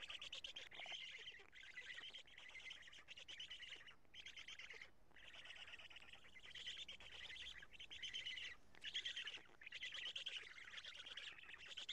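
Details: Black stork at its nest in Karula, Estonia, on the evening of 2 June 2017 at 20:04, during nest change and feeding; harsh, wheezy, hissing bursts in long runs, broken by short pauses, with a steady background hiss.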